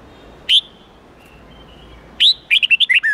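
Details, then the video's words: Training song of a red-whiskered bulbul for young birds learning the standard forest-style 8-9-10 voice. A single rising whistle, a pause of over a second, then a rapid string of six bright, slurred notes, with faint background hiss. "Luyện Chào Mào Hót Giọng 8-9-10 Ép Chim Non Học Giọng Chuẩn Rừng"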